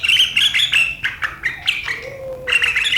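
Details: Sharp riwikan chatter of a sooty-headed bulbul, 7 April 2023, a style said to provoke rivals: rapid, harsh, high notes in short clusters, a pause with a faint low whistle, then the chatter resumes.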